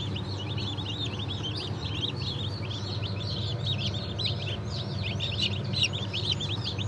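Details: A crowd of freshly hatched chicks of Cream Legbar, Sultan and Maran Couper breeds, from a 15.03.2024 hatch, keep up rapid overlapping high cheeps. A constant low droning hum fills the background.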